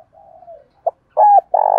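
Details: Spotted dove in the Dong Tho calling style, used as a lure for wild doves: a faint drawn-out coo, a short soft note, then two loud steady coos in quick succession.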